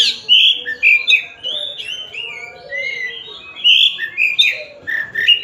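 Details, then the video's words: White-rumped shama, a Tasik-type singer, delivering a varied song of rich whistled phrases, rising and falling slurs, interspersed with quieter twittering, in bursts separated by short pauses. "Kacer Tasik Muni"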